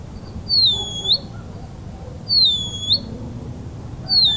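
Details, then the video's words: Band-winged nightjar (Hydropsalis longirostris) singing a thin, high whistled note that dips and then rises, repeated about every two seconds, over a faint low background rumble. "O canto do bacurau-da-telha"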